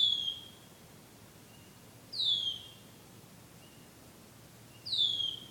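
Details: A bird sings love songs at night; three piercing downslurred whistles, spaced roughly two and a half seconds apart, bright and pure against a still backdrop.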